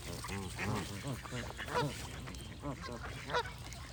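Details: Geese honking: a run of rounded, nasal honks with rich overtones. Some calls are louder and rise sharply, others are soft and distant, all over a faint low hum.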